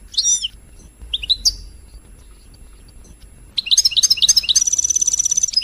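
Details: European goldfinch; song; played to stimulate other goldfinches to sing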